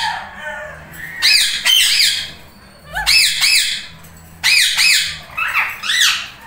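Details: Pair of tame Indian ringneck parakeets, a lutino among them, bonding and talking; loud harsh squawks arching up and down in pitch, delivered in quick runs of two to four with short gaps between bursts.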